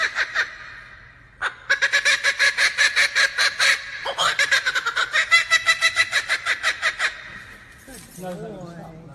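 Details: A captive male laughing kookaburra (Dacelo novaeguineae), a species from Australia, prompted by a person, gives its loud, rollicking laugh. It is a fast run of harsh, chuckling hoots, about three a second, swelling then fading, with brief speech at the end.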